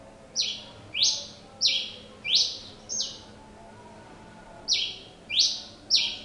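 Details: Pileated finch singing persistently: seven sharp, loud, buzzy chip notes sweeping down from high pitch, delivered in quick succession, a pause of about a second and a half after the fourth, then three more; faint low background hum.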